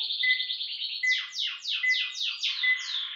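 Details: Meia-noite style song of the ultramarine grosbeak (azulão): a buzzy trill followed by a series of loud, sharply down-slurred whistled notes, a little over one per second, each with a thin steady tone beneath, in a clean recording.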